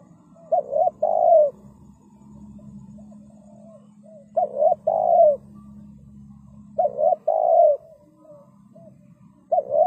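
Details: Spotted dove call used as a trapping lure: paired short coos followed by a drawn-out coo, repeated roughly every three seconds over a steady low hum.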